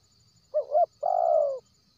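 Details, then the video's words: Wild spotted dove cooing as a lure for birds that seldom call: a short double-note coo leads into a sustained, softly sinking note lasting about half a second. A faint insect drone runs underneath. "SUAR PANCINGAN TERKUKUR LIAR cocok untuk mancing p!kat mal4s buny1"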